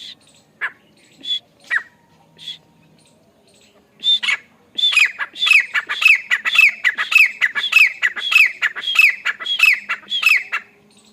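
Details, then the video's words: Grey francolin calling: a few scattered sharp notes, then a long rapid series of loud, harsh two-part squawks, high then lower and grating, repeated about every half second. "Grey Francolin call"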